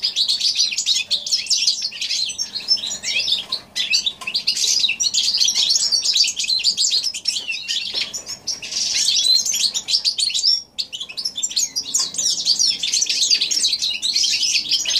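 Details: Long January 2016 performance by a goldfinch–canary hybrid: energetic, high-pitched twittering and rolling trills in extended phrases, separated by a few brief gaps, steady and loud throughout.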